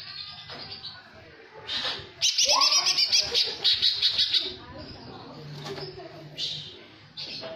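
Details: Greater green leafbird, cucak hijau jamtrok song filled with tengkek phrases: a sustained two-second run of loud, rapid, shrill rattling notes, then scattered calls and a quiet background voice.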